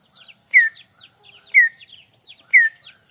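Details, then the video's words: Greater green leafbird calling to a rival, used as a lure: a bright slurred falling note repeated about once a second, with quieter warbled chirps and high squeaky notes between them. "CUCAK IJO PIKAT MEMANGGIL LAWAN"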